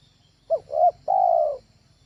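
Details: A spotted dove calls once as a training lure bird: two brief hooting notes followed by a sustained, even coo, with low background rumble.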